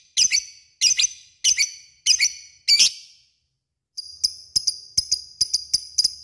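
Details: Lovebird calling a rival: five harsh, squeaky double calls, then a short silence and a faster string of thin, ringing metallic clicks.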